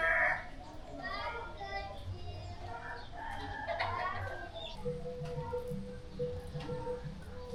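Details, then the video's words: Noisy chickens in the middle of Kemantan Hilir village, Kerinci, Jambi, Indonesia, in drizzle; several short clucks and squawks overlap in the first half, followed by a steady low hum and faint voices. "Di bagian tengah desa ini suasananya masih sama dengan bagian pinggiran tadi. Ayam-ayamnya masih saja berisik."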